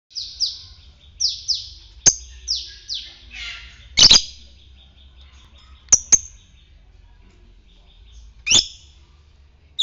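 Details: Fighter-type lovebird used as a lure to stir other lovebirds into long trilling ngekek song: sharp, high chirps sliding downward, given in quick pairs and then single piercing notes spaced a second or two apart, with a quiet low hum behind.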